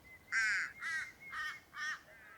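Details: Torresian crow at Uluru in central Australia, whose calls are louder, bassier and more varied than the little crow's, giving four harsh, nasal caws about half a second apart, first longest and loudest, over a faint steady whistle.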